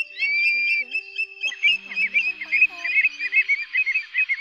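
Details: Greater sand plover flock calls used as a lure for night net trapping during August 2024 migration: a few clear, high, drawn-out whistles, then a fast run of short trilling chirps from several birds together.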